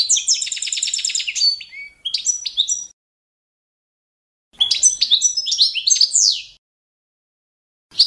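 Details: Balkan goldfinch, Carduelis carduelis balcanica, in competition-standard training song: rapid repeated rattling trill, scattered chirps, a long silence, then a second twittering phrase with buzzy slurs.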